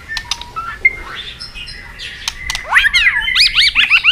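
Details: White-rumped shama fighting song, used to stimulate and train birds. Scattered clicks and soft whistles give way to a fast run of loud, looping, chattering whistled notes.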